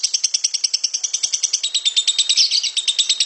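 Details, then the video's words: Harsh, rapid 'ngekek' chatter of a lovebird: a long unbroken string of shrill, grating notes repeated quickly and steadily, with a slightly louder burst midway. "Suara Burung lovebird ngekek kasar dan panjang"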